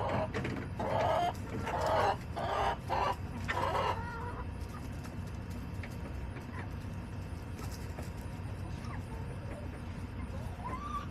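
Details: Backyard chickens recorded on July 18, 2024: a burst of loud, harsh clucks and squawks packed into the first four seconds, then a quieter stretch with only faint calls over steady low rumbling background noise.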